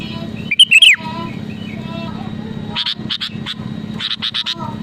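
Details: Sooty-headed bulbul song used to goad rivals into singing: one phrase of clear whistled notes dropping at the end, followed by a series of short clicky chattering notes and a steady low hum.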